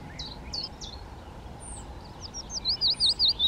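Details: Male Yellowhammer in breeding plumage singing a fast run of clipped, sharply repeated notes about seven per second, building louder at the end, after scattered quieter notes; Willow Warbler and Chiffchaff sing in the background.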